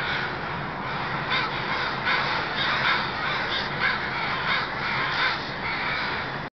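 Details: Crows, perhaps twenty thousand or more, arriving at night at the Still Creek roost in Burnaby, British Columbia: a dense, continuous wall of overlapping caws, with a few louder harsh calls rising above the roar.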